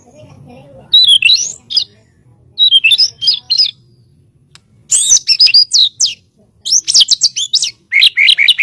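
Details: Song of a white-rumped shama used to train birds: separate bursts of high twisting whistles and sharp chattering notes, growing louder and faster toward the end with quiet gaps between phrases.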